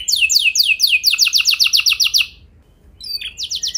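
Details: Canary song used as a training lure to make other canaries sing long rolls: fast repeated downward-sweeping notes in rapid trills, shifting to a quicker buzzy roll, a brief pause, then another trill.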